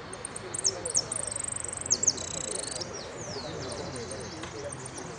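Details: Hooded siskin, a yellow competition bird, singing at a finch song contest final in Merlo: a high, fast twittering song of rapid trills, buzzy rattles and thin sweeping whistles, over a steady low background murmur.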